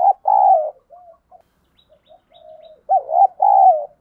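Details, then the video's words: Spotted dove decoy calling to draw wild birds to fight. A loud two-part coo opens, quiet scattered notes and a soft drawn coo follow, then another loud double coo closes the sequence. "Chim Cu Mồi thúc đấu, cu gay kich boi nhanh noi"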